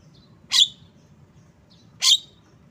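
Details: Two loud, harsh, buzzy notes from a Javan myna (jalak kebo), about one and a half seconds apart, each introduced by a faint thin squeak, with a soft low hum between them.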